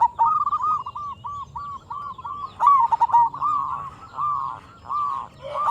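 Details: Local zebra dove in full, frequent song, used as a lure to draw replies from other zebra doves: a run of short, arched cooing notes in quick succession, with a louder, brighter burst midway and a low background hum.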